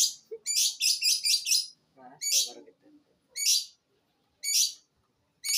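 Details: Long-tailed shrike, eight months old, Jember, East Java, delivering imitated phrases: a quick cluster of rasping high bursts, then single harsh notes separated by pauses of about a second, faint low chatter between.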